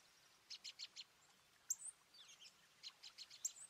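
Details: Garden birds in New Jersey, USA, recorded on 5 April 2024, the day of a 4.8 magnitude earthquake, in partly cloudy 36 to 50F weather. Quick high chirps in short runs, with thin squeaky notes between them.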